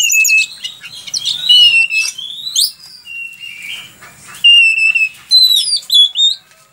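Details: Chatty oriental magpie-robin song, recorded for training other songbirds: bright, rapid whistled phrases mixing steep upward slurs, short chips and drawn-out level notes, delivered in bursts separated by brief pauses.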